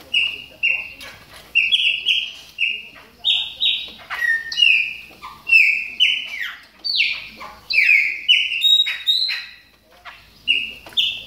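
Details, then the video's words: Chopi blackbird in moult, warming up with a long string of clear whistled calls, flat and swooping notes mixed with buzzy upper tones, delivered roughly twice a second. "CHAMADOS DE PÁSSARO PRETOS AQUECENDO NA MUDA !"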